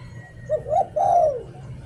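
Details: Decoy spotted dove from Thailand in the "หลิ่วตัน" song style, giving one low, mellow cooing phrase: two short quick notes and then a long, smooth descending coo, against a steady low hum.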